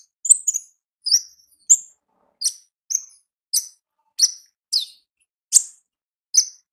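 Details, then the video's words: Olive-backed sunbird in the wild, ngalas song: a steady series of piercing, high, downward-flicking chirps, each repeated about every half second. The recording is clean, with no background noise. "Suara Asli Ngalas Konin Ninja di Alam Liar"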